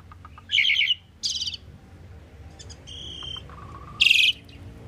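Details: Common pied myna phrases mixing gritty buzzy bursts, a level pure whistle, a lower flat whistle and a final harsh trill-like burst.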